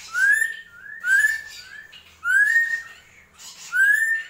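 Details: Drongo whistling four loud upward-sliding notes about one second apart, each trailed by a softer sliding note, with faint rasping texture behind.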